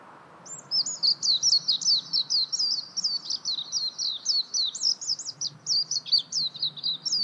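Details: Warbling white-eye pouring out a continuous, lively, high-pitched warble of rapidly alternating rising and falling notes throughout, over a quiet low hum.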